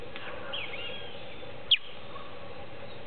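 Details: Young Creamy-bellied thrush just out of its nest, tangled in hedge branches in the late afternoon and appearing to call its family: one loud, thin, falling chirp, set against quiet, distant birds.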